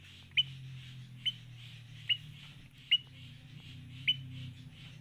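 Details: Adult sooty-headed bulbul making chick-like calls: a short, sharp, high chirp repeated about every second, five times, over a steady low hum.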